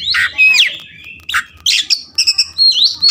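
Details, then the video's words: Oriental magpie-robin song meant to coax a reluctant bird into singing: rich warbled phrases mixing sweet rising whistles, rapid repeated chips and scratchy buzzes in lively bursts. "terapi singkat kaccer malas bunyi"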